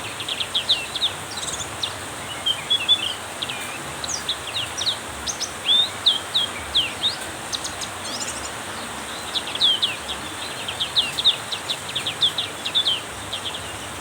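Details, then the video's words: Black-capped white-eye in heavy rain, singing hard: clusters of sharp high chirps, quick downslurred notes and brief twittering runs, repeated throughout with short pauses, above constant broadband rain noise. "hujan deras membuat pleci black capped tambah gacor konslet"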